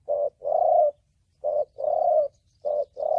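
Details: Spotted dove cooing in the giọng thổ bầu style, used for trapping, stimulating and training decoy birds: a short low coo then a longer drawn coo, the pair repeated about every 1.2 seconds, clean with no other sounds.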